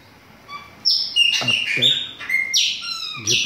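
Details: Captive chopi blackbirds, preparing to breed from about 1 September, sing a brief run of bright whistles, one long falling note and quick chirps, over a man's speech.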